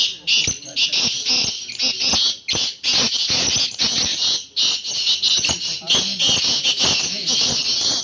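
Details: Black francolin in a calling contest: dense run of loud, rasping, grating call bursts, closely spaced and nearly continuous, with a few short breaks.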